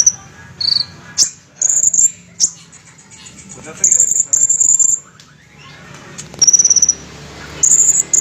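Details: Olive-backed sunbird in fighter style, bursts of shrill high trills repeated several times with short pauses, plus a few sharp clicks and quieter low sounds between bursts.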